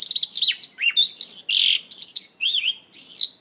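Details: Mongolian lark singing and dancing on stage: varied, loud whistled phrases that swoop up and down, interspersed with harsh buzzy notes and sharp chirps, in quick succession.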